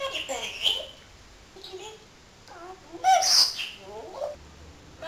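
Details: Talking pet parrot, said to chatter all day, producing a string of clipped, voice-like syllables with wavering tones and a louder sharp burst midway, set against faint background hiss.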